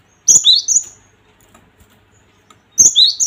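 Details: Provoking song of the cinereous tit: two bursts of sharp high chirps, each a quick high-low-high sequence of slurred notes, separated by a couple of seconds of near silence.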